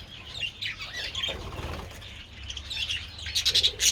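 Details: Budgerigars kept as pets, out in the sun with treats on 27 February; a flock's rapid high chirps and warbles with wing flutters and a loud burst of chirping at the end.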